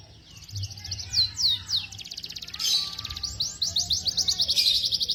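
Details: Song of young canaries recorded for tutoring: slurred falling whistles and bursts of rapid high trilling over faint low background noise.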